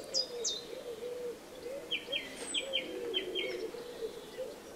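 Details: Eurasian tree sparrow young at feeding time: two sharp falling chirps, a pause, then a quick series of five clipped chirps, over a continuous low hum.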